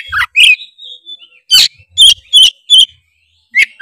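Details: Kacer, the oriental magpie-robin, in tretes style as a lure for rival birds; a falling whistle, a long thin tone, then a fast series of harsh buzzy notes, roughly two to three per second.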